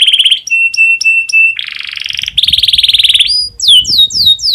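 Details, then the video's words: Canary in breeding condition singing to stimulate other canaries: a trill, a series of short level whistled notes, buzzy rolls and a fast pulsed trill, ending in falling swooping whistles. "PANCINGAN KENARI BIRAHI cocok untuk merangsang burung kenari supaya cepat bunyi"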